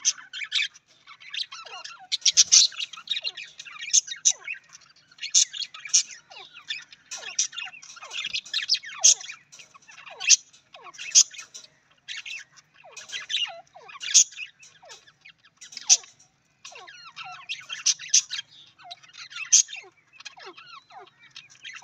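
Budgerigars chatter in a busy, scratchy warble broken by quick chirps and short downward-sliding whistles.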